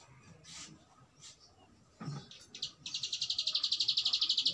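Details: Bar-winged prinia in ngebren song: after scattered rustles and a low thump, a sharp, high, rattling trill starts and pulses rapidly and evenly for nearly two seconds.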